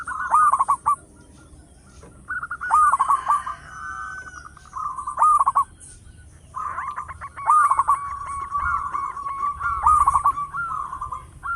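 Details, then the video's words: Loud-voiced local zebra dove kept as a lure bird: repeated phrases of fast pulsed coos, each ending in a bent rising note, roughly every two seconds, with faint high chirps behind. "Perkutut lokal gacor suara besar bikin gempar bunyi seteras cocok buat pancingan"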